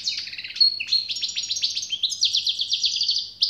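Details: European goldfinch pouring out an unbroken, fast twittering song with rapid repeated trill notes and a thin high whistle.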